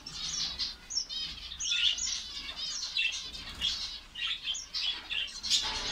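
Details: Finches chattering in a colony in Saudi Arabia; rapid thin tweets and buzzy trilled notes overlap in quick succession, rising and falling in loudness.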